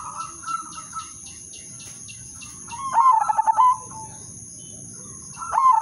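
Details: Udanmas silver zebra dove singing a melodious lure song to prompt other doves to sing: two bursts of rapid, rolling, stuttered coos ending in a clearer hooting note, separated by quiet pauses, with a constant high-pitched hum behind.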